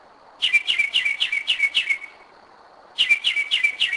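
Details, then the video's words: Mockingbird song at 2am, Kennesaw, Georgia; two bursts of fast repeated buzzy chirps, each about seven notes with a downward slur, separated by a one-second pause. "Mockingbird 2am 2011"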